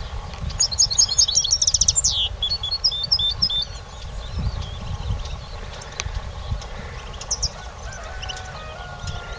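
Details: Competition goldfinch singing: a burst of rapid, tinkling, high twittering trills at first, then sparse faint notes, over steady low rumbling background noise.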